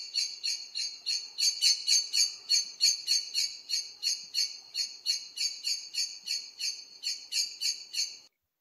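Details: A Common Blackbird's flight call, given as it flees by flying away: a high, clipped metallic monosyllable repeated about two or three times a second in a steady run, with nothing else heard.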